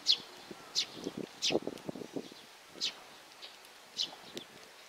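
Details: Occasional high chirps from a young sparrow, about one per second or less, alongside soft low rustling and tapping sounds.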